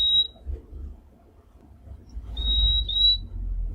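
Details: Purple-throated Euphonia from the Brazilian Cerrado: thin, high, clear whistles, one short at the start and a longer drawn-out pair later, over a steady low rumble of background noise.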